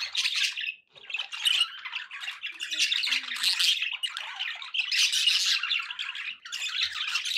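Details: Kept budgies chatter in surging bursts of high scratchy warbles and squawks, with a brief lull just before the first second and another dip near six seconds.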